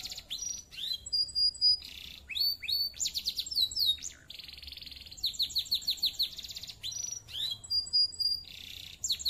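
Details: Clear, energetic canary song of alternating buzzy trills, steady high whistled tones and rapid repeated chirp series, delivered in bursts with brief silences between phrases.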